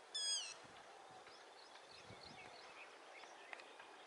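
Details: One short, sharp, high call from a running yellow-wattled lapwing at the start, followed by quiet background chirping of other small birds.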